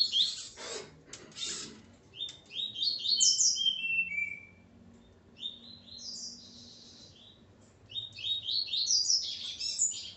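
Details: Double-collared Seedeater male with his female: loud clicks open the passage, then fast runs of rising buzzy notes and descending whistled slurs, another dense burst of song at the end, steady background noise.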